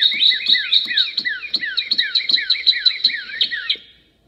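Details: Three Northern cardinals singing together, their fast repeated slurred whistles dipping and curling upward, several voices overlapping in a dense chorus of about four notes per second, with soft low thuds beneath, fading out near the end.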